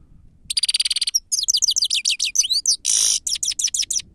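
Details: A grey-headed goldfinch's song, used as a lure, opens with a rapid buzzy trill, then runs into liquid twittering slurs, a harsh nasal buzz and more quick chirps.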